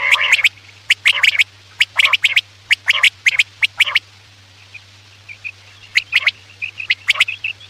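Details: Night-time quail lure for hunting: rapid clusters of sharp ticking notes and rough rasps for four seconds, then a quieter pause and a few more clicks, with a faint steady hum beneath.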